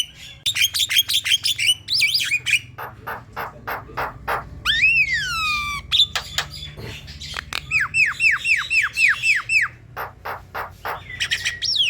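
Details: Javan myna song played as a lure to provoke a caged myna into singing: fast bursts of harsh chattering notes mixed with clear whistles that slur up and down, a run of short descending whistles, and a constant low hum.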